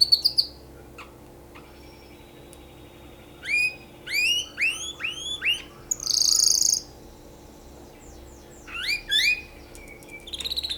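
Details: A canary sings for mating in quick bursts of rising, looping whistles and bright trills, broken by short pauses, with one harsh buzzy phrase midway; the background is quiet.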